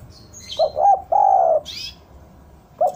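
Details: Spotted dove cooing, a recording used as a lure to draw doves down: two short low coos followed by one long, drawn-out coo, with brief high chirps from other birds above.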